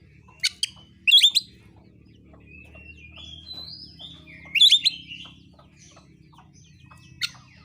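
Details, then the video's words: Oriental magpie-robin singing a provocative fighting song aimed at rival birds; sparse sharp chips and brief harsh bursts separate gentle gliding whistles, with long quiet gaps and a low background hum. "KICAUAN KACER NARUNG"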